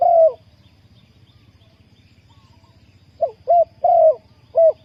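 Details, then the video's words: Spotted dove cooing to lure wild doves into a trap: a long coo opens, then after a pause a phrase of short hoots, a drawn rolling coo and a closing hoot. "นกเขาใหญ่สายต่อดิน,Tekukur pikat,Cu gáy Ninh Thuận,Sound Of dove"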